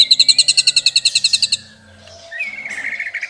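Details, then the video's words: White-rumped shama delivering a long burst: a rapid, even series of about fourteen loud high chirps in under two seconds, followed by a softer, lower warbled phrase. "Masteran Murai isian mewah tembakan panjang panjang super pedas | shama bird song"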